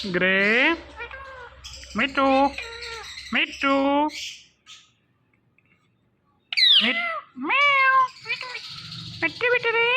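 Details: Talking ring-necked parakeet making sounds, producing speech-like harmonic syllables and squawky phrases in short bursts, with a pause of silence midway and a low background hum.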